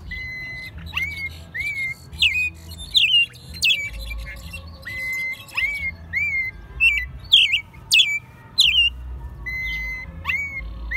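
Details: Caged American robin, hand-raised from a chick, singing in Mexico City in March 2020, its second singing year. Loud slurred whistled phrases, each ending in a thin high squeak, about every second amid faint low background hum.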